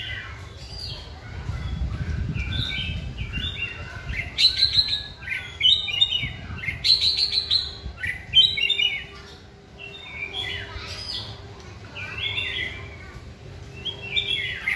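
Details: Caged white-rumped shama in song training. It delivers a long, rich run of varied whistles, chirps and trills in quick uneven phrases, with a short quieter gap near the middle.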